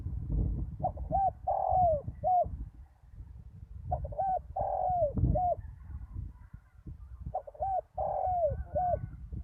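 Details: Two to three seconds of silence separate three repeated coo phrases from a decoy spotted dove on a ground lure site after a storm. Each phrase has paired short curved coos and a long sliding note, with rumbling background noise.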